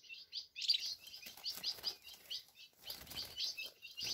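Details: A caged ultramarine grosbeak singing from the side of its cage gives a steady run of high, sweet chirping notes, about four a second, over a faint low rustle.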